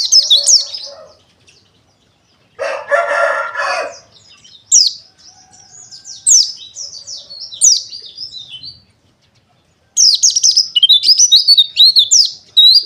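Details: Pleci dakun wilis white-eye song in bursts of high, quick twittering notes separated by silences, with a loud harsh crowing-like sound near the start and a dense chattering run at the end.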